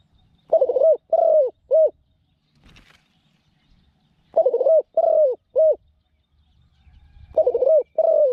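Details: Captive Spotted dove used as a decoy for pen-trapping wild doves, noted for a small voice and good cooing: three-note coo phrases repeated about every three seconds, each two longer mellow coos and a short final note, with light rustling between.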